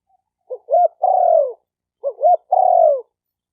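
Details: A spotted dove coos twice, a recording for training newly caught birds: each phrase opens with a soft stuttered double note, then swells into a long mellow coo sliding down at its close.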